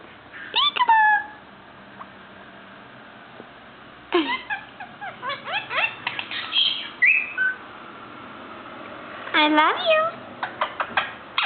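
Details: Pet male Indian ringneck parakeet, five months old and beginning to talk, mixing mimicked words with whistles: a slurred harmonic phrase, then a rapid run of clicky, rising notes and a few steady whistled tones, ending in a fast chattering burst.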